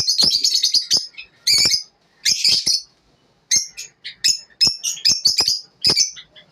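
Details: Lovebirds in the morning, short bursts of shrill, high chirps and squeaky notes in clusters separated by brief silences, the calls harsh and rasping, with no other sounds.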